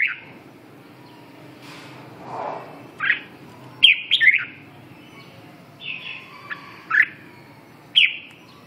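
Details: Bulbul-like bird, named as a red-whiskered bulbul, gives a series of short whistled and slurred chirps spaced irregularly. A few of them are strung into a quick warbled phrase, with faint softer notes between them.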